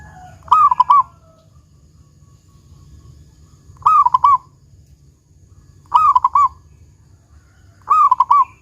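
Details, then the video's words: Big 'kung' song of a local zebra dove: four short bursts of quick, rolling coo notes at intervals of two to three seconds over a steady low rumble. "Perkutut Lokal GACOR Suara Kung Besar"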